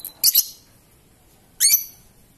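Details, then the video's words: Lovebird singing in the ngetik and ngekek style: two bursts of shrill, squeaky double chirps, very high in pitch, about one and a half seconds apart, with little other sound. "Burung Love Bird Ngetik dan Ngekek Panjang"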